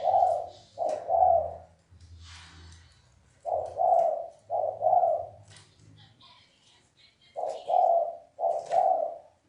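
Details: Thúc bổi cooing by a spotted dove (cu gáy): paired low, rounded hoots in bursts with short silences, faint low hum and brief high chirps behind.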